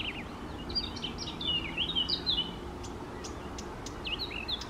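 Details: {'text': 'Morning song of a Eurasian reed warbler beside small lakes, 28 May 2024: quick jerky sequence of high slurred and downswept notes, a brief pause, then more chattering phrases.'}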